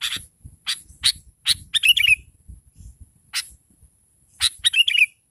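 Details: Sooty-headed bulbul lure call meant to provoke other bulbuls into answering: several short sharp notes followed by a bubbly, chattering descending phrase, given twice, over a steady high-pitched tone and soft low thumps.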